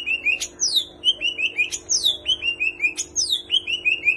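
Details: Greater green leafbird singing a song rich in kapas tembak and cililin imitations: a high whistle sliding steeply down into a chain of short chirped notes, the phrase repeated three times about every 1.3 seconds over a low hum.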